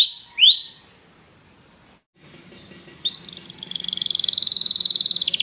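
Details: Canary training song for prompting a caged bird to sing: two sharp swept notes, a pause of near silence, then a rising buzzy note leading into a loud, rapid pulsed high trill.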